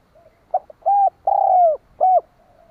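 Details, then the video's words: A champion decoy spotted dove calls to lure wild doves. It gives a brief soft note, then a run of mellow, hollow coos: two short ones, one long drawn coo, and a final short coo. The background is quiet. "Suara Burung Tekukur Denak Padu Juara - tiếng chim cu gáy kích bổi nhanh nổi"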